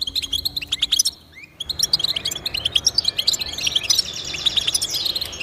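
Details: Pet-motivation recording of European goldfinch song: fast tinkling twitters, a brief lull after about one second, then dense chattering phrases resume, ending in a buzzy, slurred passage.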